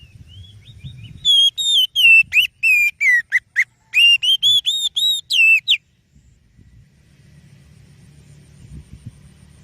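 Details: Oriental magpie-robin giving a song used to lure other birds: about four seconds of rapid, varied whistled notes, some sweeping down and others rising, then silence with a faint low rumble.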